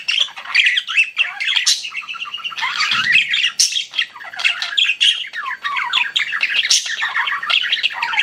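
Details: Several pet budgies chatter nonstop, mixing buzzy squawks, quick rising and falling chirps and sharp high notes in an unbroken, lively flock chorus.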